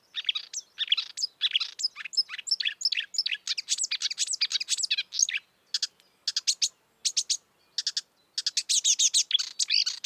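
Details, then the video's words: Marsh warbler singing in the wild: a fast, continuous torrent of varied chirps, sweeps and rattling notes, packed densely, with short pauses near the end before the jumbled phrases resume. "kicauan merdu burung marsh warbler / kerak basi di alam bebas"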